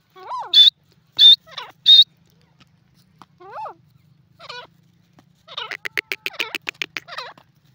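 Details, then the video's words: Jungle grey francolin: three shrill high notes with lower chevron-shaped calls mixed in, then scattered softer calls. It ends with a rapid burst of about a dozen sharp clicking notes. "jungli teeter ke voice,grey pheasant in ajungle awaz"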